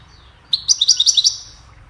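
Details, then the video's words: Goldfinch song for teaching songbirds: a short, quick burst of about eight bright, high twittered notes lasting under a second. "Goldfinch sings a cheerful melody to teach the birds goldfinch chirping"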